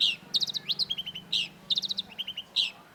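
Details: Long-tailed shrike (cendet), from a recording used to stimulate silent cendets: quick, varied chirps and trilled note clusters in rapid bursts, over a steady low hum.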